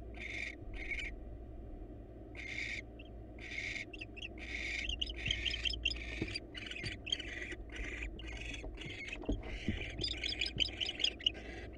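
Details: Wild barn owls at a monitored nest box as the male brings the female a mouse: a busy run of harsh, hissing screeches, some long and some clipped, rising in density toward the end over a steady low hum.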